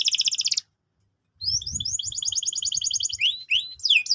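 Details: Energetic canary song used to train young canaries: a rapid trill breaks off into a brief silence, then resumes with quick rising slurred notes, a steady rolling trill and swooping whistles at the end.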